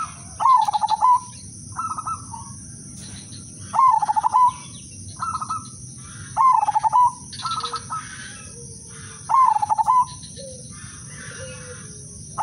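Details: Silver udanmas zebra dove giving melodious lure song meant to get other doves singing; rolling, trilled coo phrases roughly every three seconds, alternating with softer replies from nearby doves.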